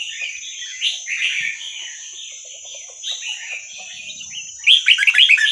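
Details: Wild Vietnamese Red-whiskered Bulbul, kept for training young birds to sing: rapid warbled chatter in short bursts, ending in a loud flurry of sharp, quickly repeated whistled notes against a faint steady hiss.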